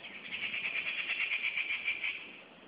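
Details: Rufous treepie making a steady, dry rattling call of rapidly pulsed high notes lasting about two seconds, then fading away.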